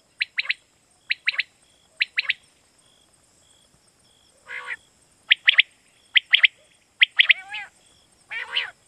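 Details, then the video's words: Night-hunting lure call of quail in Pakistan: paired and tripled sharp chirps repeating about every second, mixed with a few longer grating notes, a steady faint high hum beneath. "Batair Kirak batair ki Awaz For Night Hunting"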